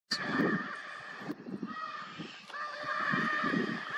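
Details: Lear's macaws, birds endemic to Brazil, shown as affectionate partners; harsh, rasping squawks with stacked harmonics come in uneven bursts, some drawn out and grating, others short, over a quiet outdoor background.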